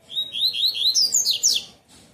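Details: Double-collared seedeater of the song style called tui tui bitola: a fast run of clear whistled notes, first a steady series of short rising slurs, then higher, faster downslurred notes, ending abruptly after under two seconds.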